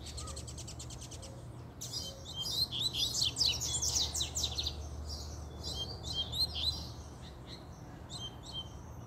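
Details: Double-collared seedeater (coleiro) in fiery form singing a puxada-style song: after a quiet start, a dense burst of rapid high buzzy notes and sharp sweeps runs for about five seconds, then fades into scattered chips over a steady low hum.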